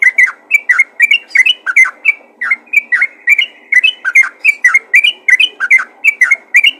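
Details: Calling to other bulbuls, a yellow-vented bulbul gives a brisk series of sharp, chirpy, slightly harsh notes, evenly spaced and repeated many times.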